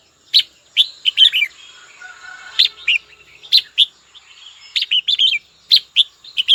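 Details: Captive red-whiskered bulbul singing to call a rival: short bright whistled phrases of three to five quick notes, separated by pauses, with a faint steady high tone running underneath.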